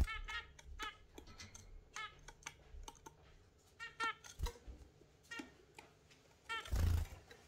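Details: Exhibition zebra finches housed with budgies in the morning give rapid nasal, trumpet-like beeps, some in quick doubled bursts, over clicking, rustling and a loud scrape near the end.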